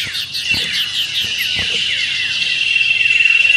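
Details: Common iora singing in a simulated bird-contest style with whistled and trilled meriwit ngetir phrasing: dense, rapid, high-pitched chatter of slurred descending notes over a steady buzzy trill, with a few soft thumps.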